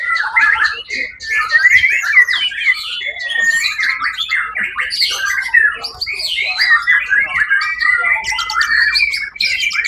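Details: Songbird-contest white-rumped shama, winner of first place on 1 October 2023, in a long, dense outpouring of rapid whistles, buzzy rattles and chattered notes, crowded and nearly unbroken for ten seconds.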